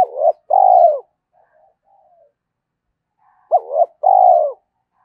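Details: Spotted dove cooing to stimulate decoy birds: the end of one phrase, soft faint notes, then a full phrase of clipped note, wavering note and long steady coo about three seconds later.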